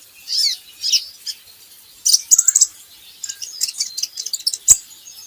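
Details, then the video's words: High, thin twitters and squeaky notes from a van Hasselt's sunbird, meant as a training lure so other birds start singing; busy chattering run midway, a single sharp click near the end. "PANCINGAN KOLIBRI NINJA Bahan Agar Bunyi"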